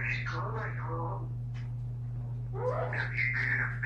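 A female eclectus parrot chatters in two bursts of drawn-out, speech-like phrases with sliding, falling tones, over a steady low electrical hum.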